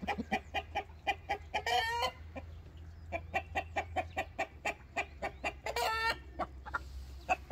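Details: Complaining rooster giving steady rhythmic clucks, roughly two per second, with two drawn-out grating squawks between them over a low background hum.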